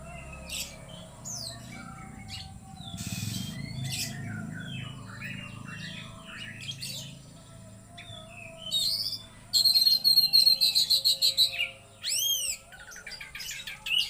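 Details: Oriental magpie-robin (kacer) pouring out loud varied song: sharp chips and slurred whistles, then a fast rattling trill of repeated high notes and arched upswept whistles, over a constant high hum.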